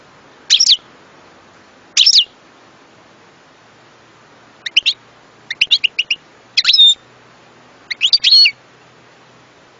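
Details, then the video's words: European goldfinch singing a varied, high twitter: a couple of single sharp notes, then rapid clicking trills and liquid chirps building into denser phrases. "صوت حسون"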